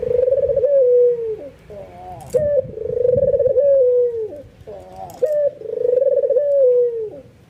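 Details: Excited white albino ringneck dove, kept indoors, calling so that other doves answer: a steady run of long, slightly vibrato coos that dip at the end, roughly every two seconds, with brief rustling knocks between them.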